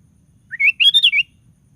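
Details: Sooty-headed bulbul song used to goad other bulbuls into singing: one rich, bubbly phrase of about six quick notes climbing then dropping, clear against a quiet background.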